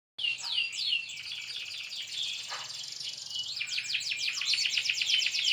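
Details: Bright-coloured canary singing gacor, in a lively non-stop style: after a moment's silence, a dense stream of high, rapid twitters, sweeping whistles and fast rattling trills, growing louder and busier toward the end.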